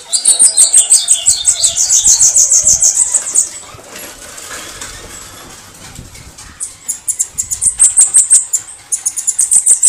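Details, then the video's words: Canto de foguear song of a Bananaquit: a dense, rapid stream of shrill, hissing high notes mixed with lower twitters. A quieter gap follows before the fast high series returns in the last seconds. "CANTO DE FOGUEAR SIBITE CAMBACICA CAGA CEBO MARIQUITA"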